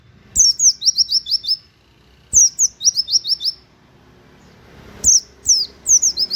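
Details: Indonesian white-eye singing a 'nembak' song with 'wit wit' canary-like elements, kept as a model for training cage birds: clipped bursts of shrill, high, falling whistles, about eight per phrase, separated by short pauses, with faint low background rumble.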